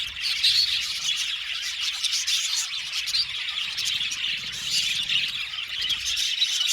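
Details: Colony of Australian budgies in an aviary, a lively constant twitter of overlapping chirps and bubbly warbles, high and busy from start to end.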